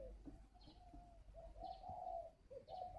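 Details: Wild-caught spotted dove with strong decoy qualities, kept at a bird garden in Ba Vì near Hanoi, Vietnam, giving soft low coos: a short introductory note, a long smooth sustained coo, then the next phrase beginning.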